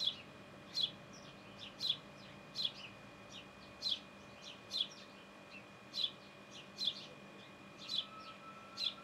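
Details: Sparrow at its nest giving a steady series of brief, high chirps roughly every second, each a quick downward tick, with a constant electrical hum beneath.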